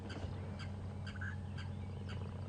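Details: Blacksmith lapwings (blacksmith plovers) at a dam on a rainy-season sunrise safari drive in late November give sharp metallic tinks, about two a second, over a steady low vehicle engine rumble, with a brief softer note from another bird.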